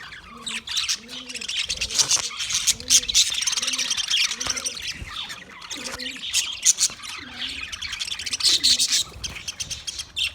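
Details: High, busy budgerigar twittering and squawks, while a low soft cooing repeats steadily underneath roughly every second in the background.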